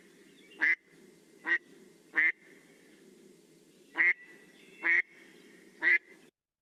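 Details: American black duck (Anas rubripes) from Newfoundland giving six slow, rough, nasal quacks on one monotone pitch, about a second apart, easy to count, over a faint low hum.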